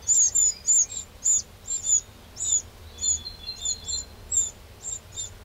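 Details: Eurasian wren in a garden in the Châtillonnais area of Burgundy, France, on 2 June 2023: a steady series of thin, very high, sharp chirps, roughly two to three per second, with a faint sustained whistle-like tone partway through.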